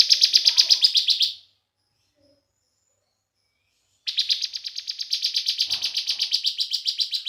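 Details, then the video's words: Young 'semi' Bar-winged prinia singing in the 'bren' style, used as a lure to make other prinias sing: a fast, buzzy, high trill of evenly repeated notes for over a second, a pause of nearly three seconds, then a longer trill. "Ciblek semi gacor BREN"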